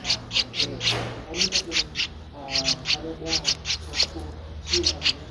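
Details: Streak-eared Bulbul nestling of 13 days in Ubon Ratchathani, Thailand, mid-April 2023; repeated bright, scratchy chirps in quick groups of two to four, separated by short breaks, with faint low background noise.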